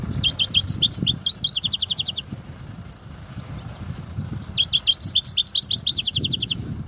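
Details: European goldfinch performing the Kobia song style: two bursts of fast, high twittering notes ending in buzzy trilled rolls, separated by a pause of about two seconds, over a faint low hum.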